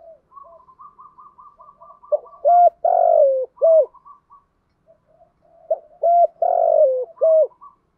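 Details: Decoy spotted dove giving a fight-urging crowing call to draw wild birds: a run of soft, evenly spaced higher notes leads into loud, low, hoarse three-part coo phrases, repeated twice.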